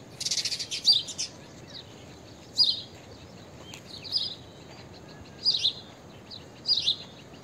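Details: Blue-tailed bee-eater (Merops philippinus): a burst of rapid rolling trilled chirps at the start, then single short high trilled calls repeated roughly every one and a half seconds, with soft background hiss.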